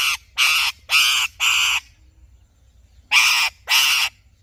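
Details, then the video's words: Harsh, raspy screeches from an Alexandrine parakeet: four quick blasts, a short silence, then two more. "Alexandrine Parrot Chirping Sounds"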